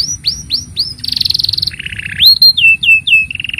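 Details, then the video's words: Canary singing a long tutor song for young birds: a series of arched whistled notes, a high rolling trill, a lower buzzy trill, then sharp upslurred notes and another trill. "Kenari Gacor Panjang Ini Bagus Untuk Masteran Kenari Paud Dan Pancingan Kenari Bisu"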